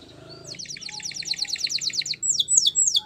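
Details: Canary singing: after a quiet start, fast repeated high chirped notes, then sweeping descending whistles near the end.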